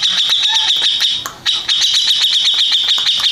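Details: Champion Grey-cheeked bulbul, winner of first place, pouring out a continuous shrill, scratchy chatter of quick repeated notes, with a brief pause and a lone low whistle early on.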